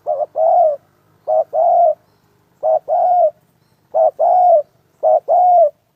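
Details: Cooing of a spotted dove kept as a lure for dove trapping; paired phrases of a brief low coo and a drawn-out mellow coo, about five pairs spaced a second apart, faint low hum behind.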